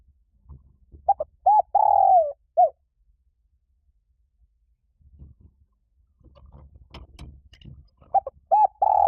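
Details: Spotted dove cooing, used to stimulate decoy doves: one full phrase of short coos, a long falling coo and a closing note, then a stretch of clattering and rustling noise before the next phrase begins.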